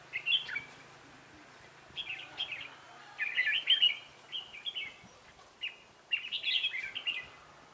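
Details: Trainee decoy red-whiskered bulbul singing to lure wild birds into a trap, 11 December 2016; lively bursts of bubbling, slurred notes repeated every second or so, several phrases running together mid-recording.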